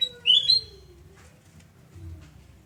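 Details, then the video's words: In Surabaya, Indonesia, on a morning at home on 29 November 2017, a sooty-headed bulbul gives one bright, liquid whistled phrase. A faint low drawn-out tone and background hum follow it. "Kicau merdu kutilangan emas Surabaya"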